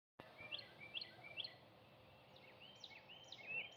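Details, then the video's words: Birds singing at sunrise on Easter Sunday: a faint series of short rising whistled notes repeated about every half second, then scattered high chirps, over steady outdoor background hiss. "Easter Sunday Sunrise with the Birds singing"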